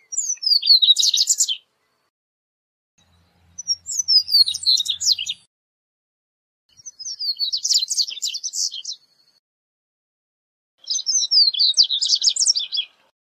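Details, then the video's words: Four evenly spaced song phrases from a corbatita seedeater, a recording for teaching song and luring birds; each starts with a few falling whistles and builds into a rapid, buzzy chatter about two seconds long. "CORBATITA CANTANDO - MEDIA HORA DE CANTO DE CORBATITA"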